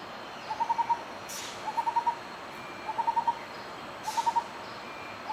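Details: Lineated barbet song: hollow, mid-pitched hooting notes in short bursts of four or five, each burst repeating roughly every second and a quarter, over a steady hiss of background noise with two brief swishing sounds.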